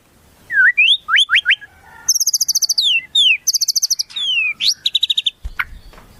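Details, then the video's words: Tutor recording of a white-rumped shama singing imitations of wild birds: upslurred whistles, then high metallic trilled bursts alternating with clear downslurred whistles, ending with a sharp knock. "Masteran Murai, Isian Burung Alam Liar"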